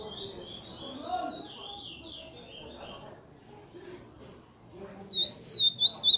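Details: Chestnut-bellied seed finch (curió), praia song style: faint wavering whistles fade out early, then after a quiet stretch several loud, clear swooping whistled notes return near the end.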